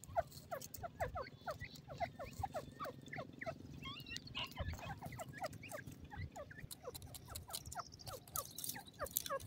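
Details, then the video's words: Ring-necked pheasant chicks enjoying themselves on grass keep up a steady stream of quick, downward-sliding peeps, many chicks calling at once over a faint rumble. "ringneck pheasant bird sound,ringneck partridge bird chicks"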